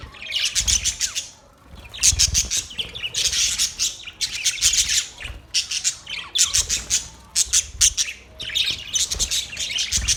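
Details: Budgies burst into loud scratchy chatter in repeated clusters about every second or two, rapid buzzy chirps stacked together, with brief quieter gaps between bursts.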